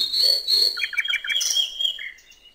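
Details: Common nightingale singing on a riverbank in open countryside: a clear whistled note, then a quick run of repeated chirpy notes and a final falling phrase, with a quiet background.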